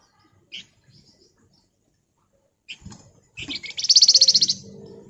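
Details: Flamboyan (Javan fulvetta) singing ngebren style: isolated high chips spaced seconds apart, then a stuttering lead-in running into a loud, rapid, buzzy trill of about a second.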